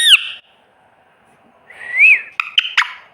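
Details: Parrot copying a cat's meow: a brief bright squeak, a pause, then a rounded rising-and-falling whistled meow ending in a few hard clicks.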